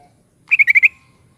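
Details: Sooty-headed bulbul (kutilang) in lively 'gacor' singing: one quick phrase of five clear, liquid notes of even pitch run together in under half a second, with a faint fading tone afterwards and an otherwise quiet background.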